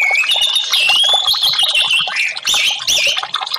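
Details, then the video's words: Orange-headed thrush song aimed at silent birds: a rising whistle opens into a rich, warbling stream of high notes mixed with quick chirps, briefly softer near two and a half seconds. "TERAPI Burung Anis merah"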